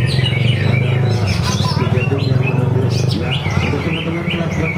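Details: Caged greater green leafbird singing at a bird singing contest in Kranji, Bekasi, Indonesia: rapid series of bright rising and falling whistled notes over a steady low engine-like hum, with crowd chatter behind.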